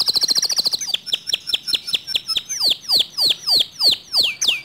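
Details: Canary singing a song said to excite other canaries into joining in. A quick high trill gives way to sharp falling chips, then louder swooping downslurred notes repeated roughly every half second.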